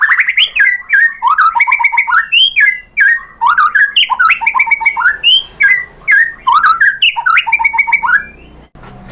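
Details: Lure song of a white-rumped shama, used to rouse another bird into replying and singing: loud, continuous, rich whistled phrases jumping between low and high notes, with quick chattering notes woven in.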